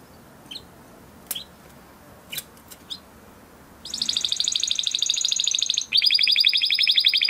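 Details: A caged crested Spanish Timbrado canary from 2020 breeding gives a few isolated chips, then a sustained fast trill that steps down into a lower, still denser rolling trill as training song.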